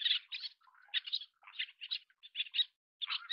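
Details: Little tern (Sternula albifrons) feeding chicks: a run of short, harsh, high chattering notes in quick clusters, with fainter lower squeaky notes between them.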